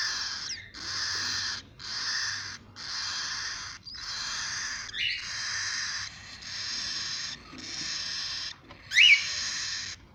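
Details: Cockatiel chicks giving long, harsh hissing rasps, about eight drawn-out bursts each near a second long separated by short pauses, ending with a brief higher squeak.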